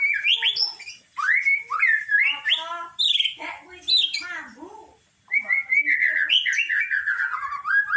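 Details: White-rumped shama singing a loud, rich and varied song of fluting whistles, rising and falling slurs and harsher chattering notes, with a short break before a long run of warbled phrases. The background is quiet.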